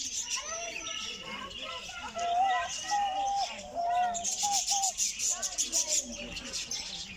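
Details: Diamond dove calling, close-up, North Rhine-Westphalia, Germany: soft, arched cooing notes in quick series, with high thin chirps of other small birds in the background.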